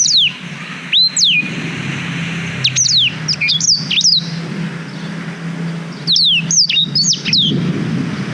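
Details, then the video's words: Black-throated canary song used to train young canaries, captured with a GoPro Hero 5: scattered clusters of sharp falling whistles and twittered notes with gaps of a second or more, over a constant low drone. "Suara Blackthroat Durasi Panjang Untuk Masteran Kenari"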